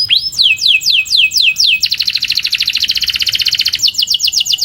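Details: Canary song used for training to improve singing: a rising whistle, a series of falling whistled notes about four per second, then a fast dense rolling trill and quicker downslurred notes.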